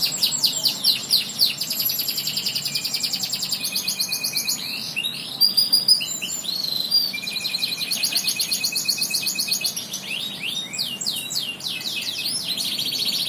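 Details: Canary song of rapid rolling trills and chattering phrases, bright and high. It switches between buzzy rolls, sharp upswept whistles and steady repeated notes without pause for over ten seconds.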